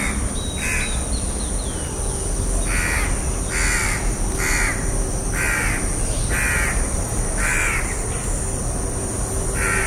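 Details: House crow (Corvus splendens) giving harsh, nasal caws, about nine in a row at a steady pace under a second apart, over a constant high hiss and a brief thin whistle from another bird.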